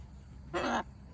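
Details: A pet military macaw staying outside around 6 pm on a bright, hot evening, climbing, gives one harsh, raspy quarter-second squawk over a faint low background hum.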